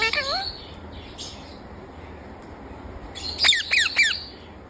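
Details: Parrot kept as a pet, with a short rising whistled note that wavers at the start, then a pause with soft scratchy bursts, and finally three quick steeply falling whistles close together near the end.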